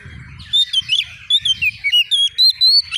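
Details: Untrained Oriental magpie-robin, emotionally triggered while seeking a rival, pours out a fast series of about ten clear whistled notes, rising and falling in quick succession over a faint low background rumble.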